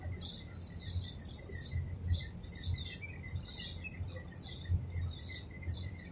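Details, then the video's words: Madagascar hoopoe bringing food to chicks hidden in a palm tree hole, Abu Dhabi, UAE; bright high chirps come in clustered bursts with short gaps, backed by a faint steady tone and soft low noise. "Madagascar hoopoe feeding chicks"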